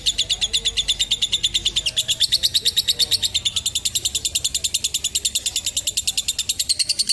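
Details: Lovebird's long ngekek chatter, played to train young birds and tutor song: high, rasping notes repeated rapidly. After two seconds they grow faster and denser, and the run keeps going without a pause.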